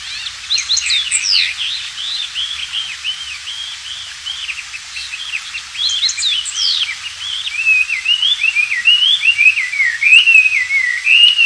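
An Oriental magpie-robin sings a lively, unbroken run of varied whistles, quick up-and-down slurs and sweet rising notes, all high-pitched, with a quiet natural background.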